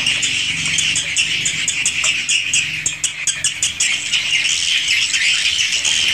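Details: Swiftlets inside a swiftlet house, original recording: a dense, continuous chorus of buzzy, scratchy chirps from many birds, overlapping without pause, with sharp clicky bursts scattered throughout.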